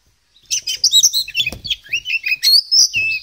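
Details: Oriental magpie-robin, the pied 'kacer poci' form, singing actively with a full 'isian' style of learned fill phrases: a fast, varied run of sharp whistles, chirps and trills with rapid pitch jumps, continuous after a brief silent start.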